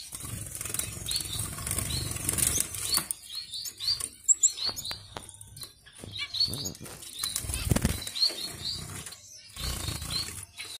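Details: Young Gouldian finches on a farm, heavy wing flapping and rustling at first, then a run of quick high chirps in loose clusters, with more flutters and a low steady hum behind.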